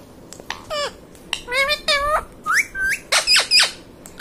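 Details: Talking ringneck parrot at home, saying mummy papa: a chain of about ten short nasal syllables, some sliding up, some dropping, with clipped squeaky notes near the end.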